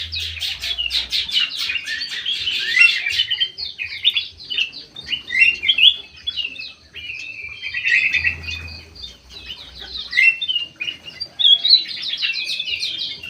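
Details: Very vocal white-eyed golden bulbul in an aviary: long, lively medley of chirps, trills and slurred whistles in bursts, loud peaks recurring every one to two seconds.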